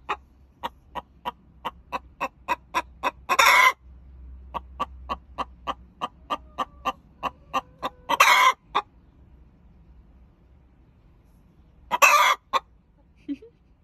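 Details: Olive Egger hen giving her egg song after laying, signalling a fresh egg: runs of quick sharp clucks speeding up, each run ending in a long loud raspy squawk, three rounds in all.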